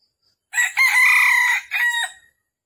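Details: Hen red junglefowl call said to summon a rooster, used for trapping in Vietnam on the morning of 13 December 2021: one loud, raspy crowing phrase, a short opening note, a long even middle, a pause, then a short falling tail.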